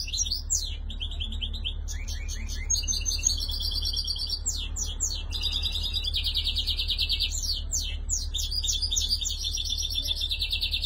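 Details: Tunisian European goldfinch, described as shantour, 2020: dense, fast twittering song of bright high notes and metallic trills in rapid bursts, continuous throughout, with a steady low hum underneath.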